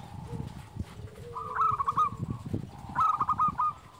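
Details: Big-voiced local zebra dove used as a lure for quiet birds: two short trains of quick, bubbling coo notes, the second louder, against a rumbling, noisy background.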